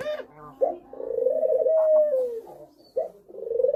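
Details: Spotted dove giving thổ pháp cooing used to provoke males, females and young birds: short clipped notes, then a long, low coo gliding downward, followed by further brief coos.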